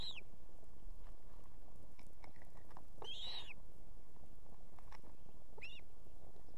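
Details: Evening at an osprey nest in Estonia, the female with two chicks calling the male to come with food: three high whistled, arch-shaped calls spread over several seconds, the middle one longest, amid a steady low hum.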